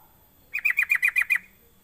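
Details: Sooty-headed bulbul, recorded as a lure to get other bulbuls calling, giving a crisp run of seven bright, clipped notes in rapid, even rhythm lasting about one second against a quiet background.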